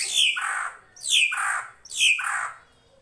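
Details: Srigunting krantil drongo on a songbird training recording: three loud, rasping notes about a second apart, each starting high and dropping steeply into a buzzy tail.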